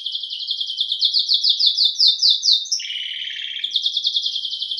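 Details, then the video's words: A canário-belga pours out fast, regularly repeated rising notes, then a lower burry rattle, then a high rapid trill again. The song is loud and clear, with a clean background. "CANÁRIO BELGA CANTANDO"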